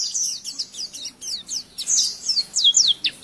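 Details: Oriental white-eye song used as a training recording for young birds: rapid high thin chirps and short downslurred whistles, fainter at first, then louder sweeping notes near the end.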